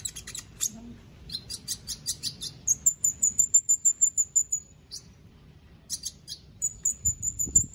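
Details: Caged white-rumped shama from Palu, Central Sulawesi, singing for an online song contest: bursts of rapid clicking notes, then a long high steady trill of evenly repeated notes, a pause, and more quick chips ending in another high trill.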